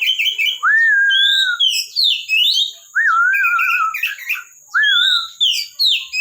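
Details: Oriental magpie-robin in a bird collection singing: long clear whistled notes that slur downward, mixed with quick high chirps and twittering phrases, with a steady high background tone.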